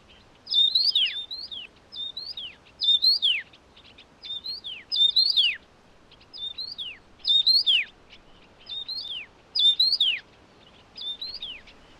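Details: A Taiwan Yuhina feeding hungry chicks gives bright, high, slurred chirps in quick bursts, roughly every second or so, with falling whistled notes; otherwise quiet background.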